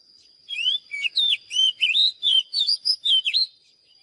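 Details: Oriental magpie-robin delivering a lively phrase of about ten loud whistled notes, each bending up or down, packed closely together with a faint constant high tone in the background.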